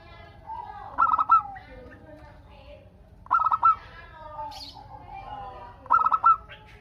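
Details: Local zebra dove used as a lure so other doves answer in turn, giving three rolling, low cooing phrases about every two and a half seconds, with steady background hum and a faint high chirp.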